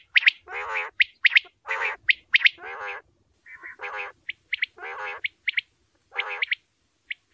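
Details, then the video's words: A male common quail gives rasping, nasal notes mixed with short, sharp high pips, about one a second, in a steady irregular run. "Male batair ki awaz common Quail"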